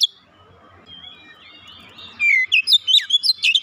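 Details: Lure recording of an oriental magpie-robin singing. Two seconds of low background murmur, then bright, loud, varied whistles and quick high chirps burst in and run to the end.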